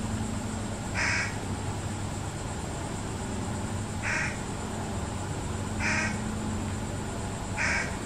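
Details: Short nasal crow calls repeated about every two seconds, four in all, from fish crows as parents feed a lone fledgling, with a low background drone.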